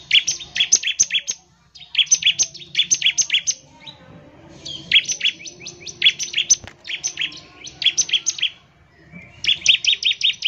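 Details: Bar-winged prinia delivering repeated ngebren bursts, meant to make other prinias sing quickly: five rapid trains of crisp, high, evenly spaced chirps with brief silences between, over faint low background noise.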